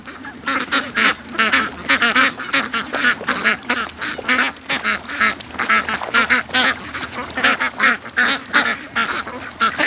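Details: Morning rush of a flock of pet ducks let out late from the pen toward the creek and lake; dense chorus of raspy, nasal quacks tumbling over one another almost continuously, with short gaps and some louder calls standing out.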